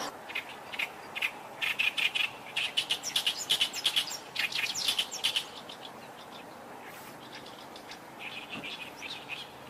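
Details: Reed warbler singing about 8 m away, staying perched over ten minutes: harsh, chattering song of grating, scratchy notes repeated rapidly in rising and falling bursts, with a faint steady high hiss behind.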